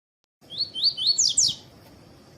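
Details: Double-collared seedeater male singing the tui tui style song beside a female, used to warm up and train birds for song tournaments; four quick high whistled notes rising in pitch, ending in two louder buzzy slurred notes, faint low background hum.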